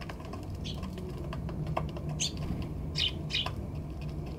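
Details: Eurasian tree sparrows fed sweet potato on a balcony on 16 December 2020, filmed with an RX100M5A camera: a few short, sharp high chirps spaced a second or so apart over a low steady hum and light clicking.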